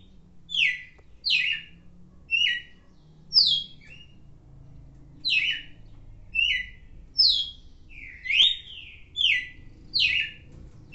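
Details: Red-cowled cardinal singing: short, clear whistled phrases, each a quick slurred note, given in bursts about every second with brief pauses, over a low background hum.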